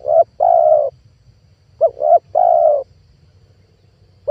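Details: Lure call of a spotted dove for attracting wild doves: a long steady coo, then a pair of short coos running into another long coo, with a short note starting again near the end; quiet low rumble behind.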